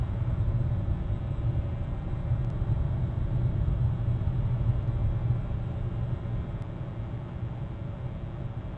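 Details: Dense low rumbling noise like wind or distant traffic runs throughout, with two tiny clicks and no audible calling.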